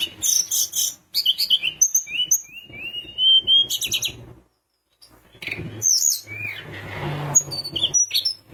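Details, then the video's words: Sunda minivet singing energetically, a song said to rile rivals into answering: strings of sharp high whistles and long slurred notes falling then held steady, with a brief pause midway and low background hum. "Tledekan gunung gacor bikin lawan emosi langsung bunyi"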